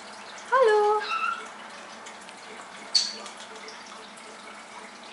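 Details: A blue-coloured pet Indian ringneck (rose-ringed) parakeet gives one brief, wavering, voice-like call, then a single sharp high chirp two seconds later, against a soft indoor hiss.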